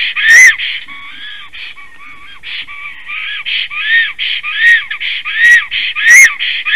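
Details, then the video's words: Latvian black stork that has just arrived at its nest on 17 April 2019 at 15:51, nest-camera recording of a long song: rhythmic series of wheezy, harmonic notes repeated rapidly, with sharp clicks interspersed. "Kaupo has arrived, sings a long song"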